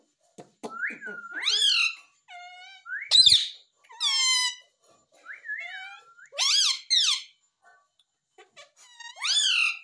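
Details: Talking pet parrot indoors, said to call mummy and papa, produces a steady series of clear whistled, harmonic syllables that rise and fall, some in quick pairs, with one sharp click midway.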